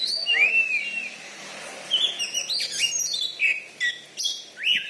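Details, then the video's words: Oriental magpie-robin, a caged contest champion from Bengkulu, Indonesia, singing varied whistled phrases with swooping slurs and short high notes separated by brief pauses, over a faint background hiss. "BURUNG KACER JUARA DI BENGKULU"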